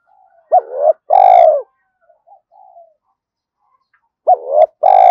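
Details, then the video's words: Spotted dove calling in the urgent 'gáy thúc' style, used to draw wild doves in fast. Two coo phrases about four seconds apart, each a short hooked double note then a long, rich, slightly buzzy coo, with faint soft murmurs between. "tiếng cu gáy thúc hay rút bổi, gáy gọi liên tục dục chim bổi về nhanh"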